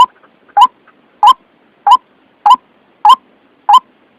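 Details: Lure call of a White-breasted waterhen for bird trapping, described as clear and wild-sounding: seven loud, clipped croaking notes with a brief rising twist, repeated about every 0.6 seconds on a quiet background.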